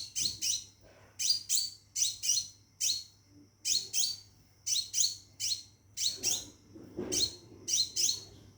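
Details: Scarlet minivet kept in a cage, calling a female to mate, repeats high bright notes in pairs, each note sliding down in two steps, pairs roughly every second over a low hum.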